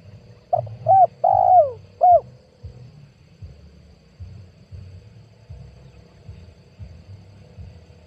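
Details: Call of a spotted dove used as a lure to trap wild doves, 2022: a single early phrase of two short hooting notes, a longer downward-gliding coo and a last short coo, then several seconds of low-pitched background rumble.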